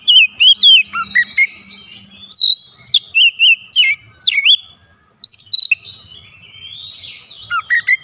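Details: Lively white-rumped shama song: quick series of clear whistled slurs and upswept notes, a brief silence, then more whistles and a softer buzzy passage.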